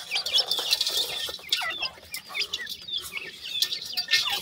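Grey francolin chicks give a busy chorus of high, thin peeps and short chirps, overlapping rapidly with a faint flutter of wings.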